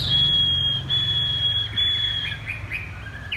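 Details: Chinese hwamei caged on the ground in thắt cổ chai song: a clear, steady high whistle held and repeated three times with short gaps, followed by a few soft rising slurs, low hum in the background.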